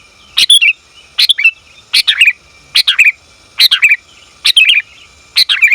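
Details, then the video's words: Female sooty-headed bulbul calling its male, meant for luring and training; seven chattering bursts spaced under a second apart, each a hurried cluster of bright notes trailing lower, otherwise quiet. "Suara Burung Kutilang Betina Memanggil Jantan"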